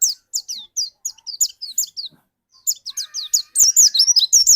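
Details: Dakun white-eye kept in a cage and singing strongly as a lure bird: evenly spaced, thin down-slurred whistles, a short gap, then a busier, faster stream of high chirps.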